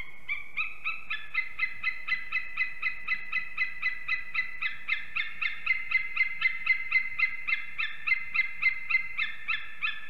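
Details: White-tailed eagle (Haliaeetus albicilla) pair at their nest in Ķemeri National Park, Latvia, 6:01 am on 8 March 2024, during morning calling, arrival and mating: a long series of sharp yelping notes, about four per second, building slightly.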